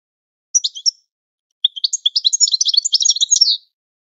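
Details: European goldfinch training song for teaching captive birds: a short chattering burst, a pause, then a rapid two-second run of twittering, buzzy high notes with trills, on a clean silent background.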